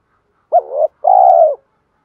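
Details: Decoy spotted dove cooing to attract wild doves: one brief upslurred note, then a sustained purring coo that drops at its end, with no other sounds.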